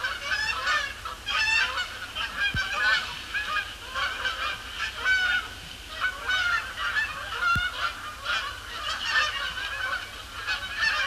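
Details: Flock of Canada Geese circling then settling on Sapsucker Woods Pond in the evening after sunset under layered clouds; strong, repeated nasal honks from numerous birds, often overlapping in quick succession.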